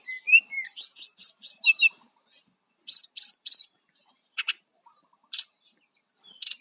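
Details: Brown-chested jungle flycatcher lure song for wild birds: high whistled notes and a rhythmic series of sharp repeated chirps, then short trilled bursts separated by pauses.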